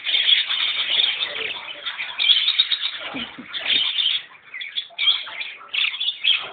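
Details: A white parakeet chatters without a break, a stream of scratchy, high squawks and chirps with brief warbled phrases for several seconds.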